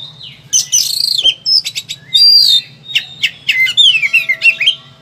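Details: Agitated caged Oriental magpie-robin, kept as a training sound for reluctant singers, pours out a varied song of clear whistles, sliding notes and quick chattering trills over a low electrical hum.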